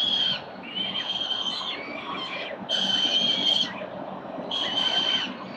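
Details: Morning feeding of four Peregrine Falcon chicks at a Victorian building nest on 4 November 2021, CCTV recording. Three drawn-out, shrill harmonic wails about a second long, separated by short gaps, over a faint hiss.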